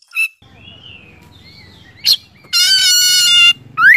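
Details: Oriental magpie-robin song, offered as training material to get silent birds singing again: a brief high chip, soft gliding whistles, a sharp note, then a loud one-second buzzy, richly layered phrase and a quick rising whistle, over low steady background hum.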